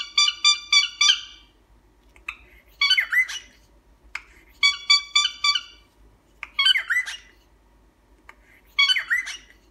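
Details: Cockatiel kept as a pet alternating short bursts of three or four reedy honks with harsher, scratchy squawks and chatter, the pattern repeating several times with brief gaps.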